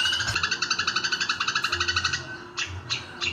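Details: Grey-cheeked bulbul fighting a sparrow gives rapid, harsh chattering notes, about four a second, that break into a few sharp separate calls.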